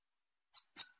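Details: Young female Bananaquit calling with two thin, high, sharp notes in rapid succession. Nothing else is heard.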